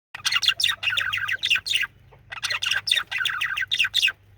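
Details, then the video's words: Male budgerigar chirping and singing: two bursts of rapid, scratchy chirps and warbles, bright and high, separated by a brief pause, with a faint low hum underneath. "Male Budgie/Parakeet Chirping And Singing"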